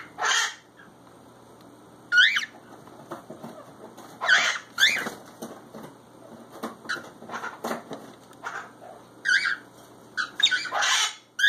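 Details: Two pet cockatiels up to mischief indoors, giving short, sharp rising chirps and squawks in bursts every second or two, with scuffling and light tapping between calls.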